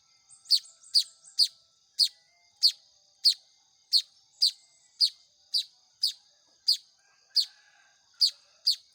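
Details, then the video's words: Young weavers (manyar) calling while being hand-fed: a rapid burst of three quick chirps, then steady sharp squeaks spaced about half a second apart, a faint whine behind. "SUARA ANAKAN BURUNG MAYAR"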